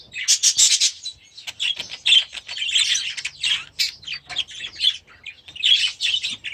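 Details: Last year's baby budgerigars, newly moved to their new aviary: bursts of harsh squawks and bright chirps from several birds, broken by short gaps, with soft low rustling.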